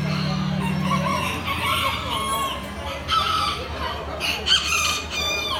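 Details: Bantam roosters crowing at a poultry show, the yekas expo of October 20, 2019: several overlapping harmonic crows with rising and falling phrases, and a steady low hum plus crowd murmur throughout.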